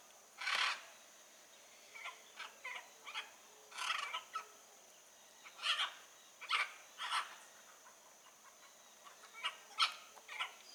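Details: Wild blue-and-yellow macaw calling with scattered raspy squawks, one loud screech at the start, then shorter harsh notes irregularly spaced, some softer as if farther off.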